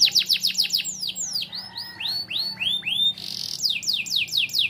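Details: Canary singing lovebird-style phrases as tutor song for young canaries: a run of sharp downslurred high notes, then looping arched whistles, a brief buzzy burst, and more rapid falling chips, all loud and clear over quiet low hum.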